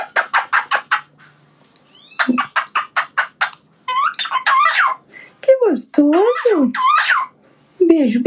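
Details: Cockatiel; song; male courting a female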